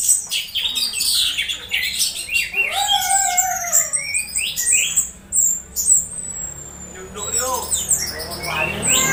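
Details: Orange-headed thrush kept in captivity producing strange sounds during conditioning, played to provoke singing at dew time: varied whistled slurs, squeaks and descending notes in irregular phrases, fairly loud and close.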